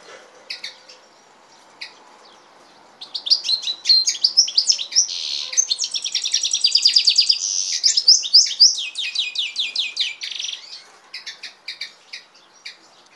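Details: European goldfinch and canary hybrid singing a long, fast twittering song of rapid repeated chirps and trills, high-pitched and continuous for about eight seconds, with scattered short chirps before and after; no other clear sounds.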